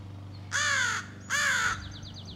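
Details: Two long, hoarse, drawn-out caws from a young American crow practising its scolding and territorial calls, each about half a second; faint high chirps of a small bird come afterward over a background hum.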